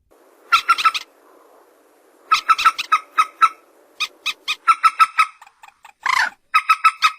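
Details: Common moorhen, known locally as peruk, tiung or mandar batu, recorded on a phone with some background noise; bursts of rapid, harsh, nasal clucking notes in quick runs, separated by short gaps, with one broad rasping noise.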